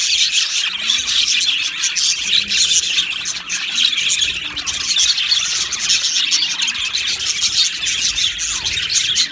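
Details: Colony of Australian budgies in an aviary, singing and chirping: a dense, continuous wash of high warbling chatter and quick scratchy chirps from many birds at once, with no pauses.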